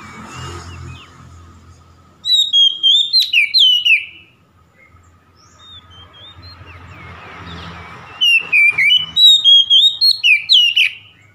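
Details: Oriental magpie-robin song played to anger a rival: two bursts of rapid, varied whistles and down-slurred notes, separated by several seconds of faint noise and low hum.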